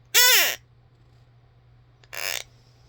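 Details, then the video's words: A pet mini macaw named Britches, indoors while its owner coos "pretty bird", gives two harsh, raspy squawks about two seconds apart, the first loud and arched, the second softer and noisier, in a quiet room; mini macaw. "Parrot Whistle"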